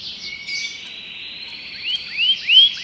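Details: Common canary singing: a faint sustained high warble, then three rising upswept whistles in quick succession near the end, growing louder.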